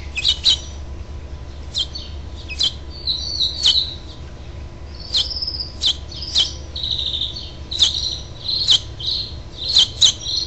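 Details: At a house finch nest on 12 June 2007, the last fledgling is coaxed to fly by a parent; bright clipped chirps, roughly one per second, mixed with brief buzzy warbled phrases, steady low background hum.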